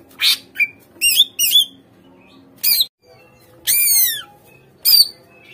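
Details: Greater green leafbird lure song for prompting captive birds to sing: scattered harsh, buzzy bursts and short whistled phrases separated by quiet gaps, with a long sweeping rasp near the end.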